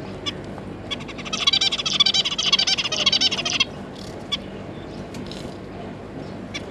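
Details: Zebra finch pair with three juvenile young, kept as pets, recorded 9 June 2022; a burst of fast, harsh, nasal chattering lasting about two seconds, framed by scattered short chirps.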